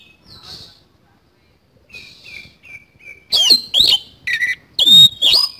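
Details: Oriental magpie-robin song with kasan fill: soft thin high whistles at first, then a run of loud sweeping whistled notes mixed with harsh buzzy clicks.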